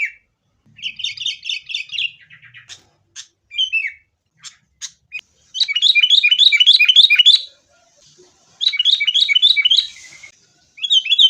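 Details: Sooty-headed bulbuls in a fighting bout, used as a lure to get caged bulbuls singing: rapid runs of bright, bubbling, up-slurred notes, several per second in bursts, with sharp single chips between and short silent gaps.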